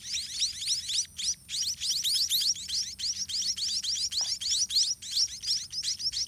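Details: White-rumped munia chicks begging in the nest while parent birds feed them by regurgitating food: a dense, rapid chorus of thin, high-pitched, rising chirps, about three per second, in bursts broken by brief pauses.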